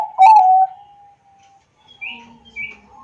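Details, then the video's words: Zebra dove of the Bangkok type, recorded by Android phone in Wiradesa, Pekalongan, Central Java, used to prompt lazy doves to sing: one short burst of coos, then a soft trailing tone and faint chirps. "pancingan perkutut bangkok agar bunyi dan gacor setiap hari"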